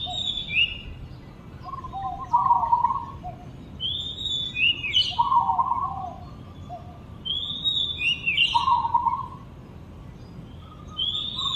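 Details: Oriental magpie-robin delivering repeated high whistled phrases that dip and rise, each paired with a buzzy lower note, about every three seconds, over a low continuous hum.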